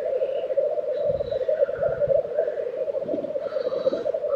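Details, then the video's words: Black grouse lek in Tiveden, Sweden, April 2023, heard as a dense low bubbling chorus with soft breathy hisses and faint higher calls, plus a few low thumps. "Black Grouse Lek - sound recording"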